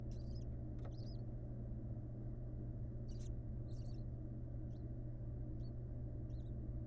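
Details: A barn owl nestling, seen for the first time with its mother, gives about seven thin, high squeaky chirps at irregular intervals over a steady low mechanical rumble.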